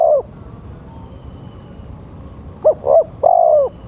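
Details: Male spotted dove used as a lure call: the tail of one drawn-out coo, a pause, then a full phrase of two quick short coos and a long, slightly falling coo, with a quiet background.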